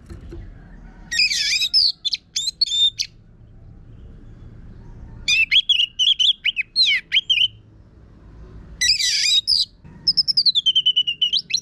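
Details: Orange-headed thrush from northern Bali, song used to coax other birds into singing: three bursts of dense, harsh, scratchy chattering separated by silent gaps, ending with a clear downward-curving whistled phrase.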